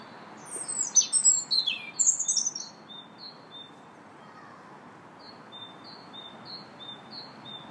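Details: Park robin in song on March 2nd, giving one rich, tumbling phrase of high sweet notes lasting about two seconds, then a pause filled by a distant bird's evenly repeated thin notes.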